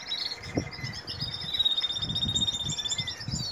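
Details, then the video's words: Canary in breeding season, S A: a fast, bright, high rolling trill with a thin drawn-out whistle underneath, accompanied by low dull knocks and rustling handling noises. "Canary Breeding Season in S A"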